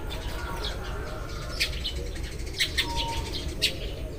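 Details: Morning chorus of Eurasian tree sparrows: scattered loud, clipped chirps standing out above softer chattering from other birds of the group and a low background rumble.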